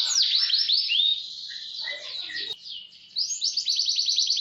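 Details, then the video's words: Canary in full song for roll and speed training: swooping whistles and mixed warbles, a brief quieter gap, then a fast high rattling trill of repeated notes. "Masteran KENARI GACOR Roll SPEED"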